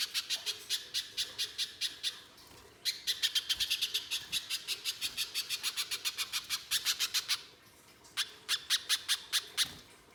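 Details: Spiderhunter called pijantung pisang giving harsh shooting notes as lure song: bursts of rapid sharp chips, at times near four per second, split by short silent gaps.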